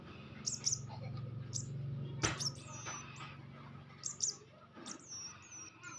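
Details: Young birds being fed by hand; thin, high chirps with quick downward sweeps come in scattered bursts over a steady low hum, with a few handling knocks.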